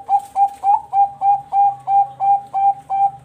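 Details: Captive Bangkok-type zebra dove from a breeding farm in Bekasi, West Java, Indonesia, cooing in a rapid regular run of about ten short, clear, hollow notes, each roughly a third of a second apart.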